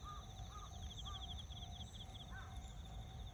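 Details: Azure-winged magpie, 1 September 2021, giving short, slightly nasal notes about every half second, over a steady high insect trill and a low rumble.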